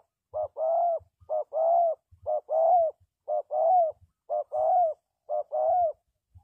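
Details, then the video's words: Spotted dove used as a lure for trapping wild doves, cooing steadily: a short soft note then a longer, slightly arched low coo, the pair repeated about once per second over a quiet background. "The Sound Of Spotted Dove is good"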